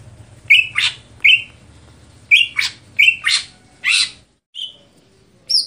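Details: Rasping chips alternate with short whistled notes in this greater green leafbird's stelan song, repeated in quick pairs, ending with a softer whistle and a high upslurred note.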